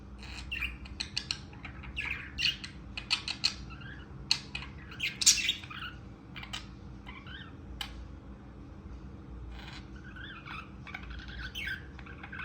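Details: Pet budgerigars playing together chatter with short, scratchy chirps and squawks in quick irregular bursts.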